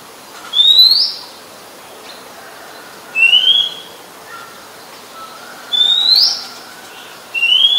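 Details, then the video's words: Oriental magpie-robin singing in Ubon Ratchathani, Thailand, 17 July 2021, where it is a very common resident. Clear, high upslurred whistles repeat about every two and a half seconds, four in all, over soft faint background notes. "นกกางเขนบ้าน Oriental Magpie Robin (singing)"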